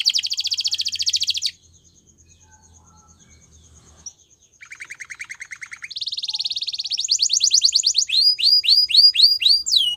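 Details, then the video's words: Gloster canary singing a training song: a fast buzzy trill, a pause, a lower rattling trill, then rapid high rattles and a series of repeated downward-curving whistles. "Gloster Canary Singing | Canary Training Song"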